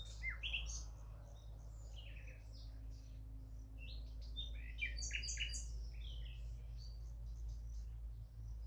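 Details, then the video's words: Singing nightingale delivering a varied stream of high chirps, quick slurred whistles and clustered trills, short phrases tumbling one after another with brief pauses, over a constant low rumble. "the most peaceful nightingale sound in the world"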